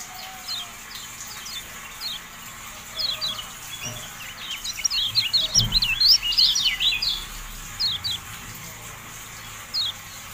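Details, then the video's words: Javan white-eye in a tutor recording meant to make caged birds stand and open their beaks. High, thin, rapid chirps and short slurred whistles come in scattered bursts, busiest in the middle, over a faint low background hum. "MASTERAN TERBARU KECIAL KUNING, FULL AUDIO"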